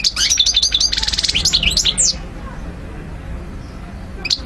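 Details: Goldfinch song for teaching and motivating birds: two seconds of quick, bright twittering with a buzzy trill, then quiet background and one faint closing chirp.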